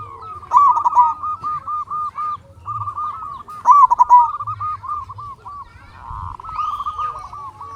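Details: Local zebra doves cooing, played to lure other doves into song: two loud, bouncing, pulsed coo phrases about three seconds apart over a steady background of repeated soft coos from other doves.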